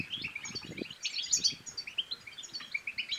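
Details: Goldfinch twittering, batbata style, intended to make a silent goldfinch sing. Fast, bubbling high chirps and clear ringing notes flow steadily, with a few soft low knocks early on.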